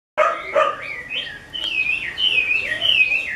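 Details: Chinese hwamei of the 'mơ' type, a bird kept by a skilled keeper, singing loud, rich whistled phrases that slur up and down, starting with several short notes and then running into a long wavering trill.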